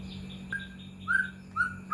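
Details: White-rumped shama lure song meant to provoke other shamas into singing: three short clear whistled notes at an even pitch, spaced apart, with a faint steady hum beneath.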